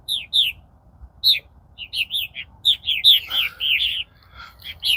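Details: Purple martins at the colony in mid-April, later than their usual arrival: chortling, gurgled chirps in uneven bursts, a denser run of rolling notes near the middle, quiet background.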